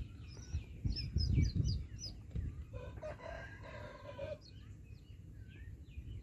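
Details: A baby chick, possibly still inside the egg, calls for the mother hen with high, thin peeps falling quickly in pitch, several each second, against low handling rumble, with a brief lower hen-like call midway.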